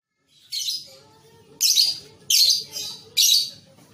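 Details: Juvenile lovebird on a training recording meant to coax young birds into steady singing and long ngekek chattering; four harsh, high, buzzy bursts spaced roughly a second apart, with soft chirps in the gaps.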